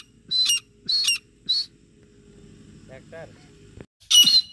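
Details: A female grey francolin calls in jungle, loud, harsh, high notes, three in quick succession about half a second apart, then a pause and one more; faint low sounds in between; non-stop calling used as a hunting lure.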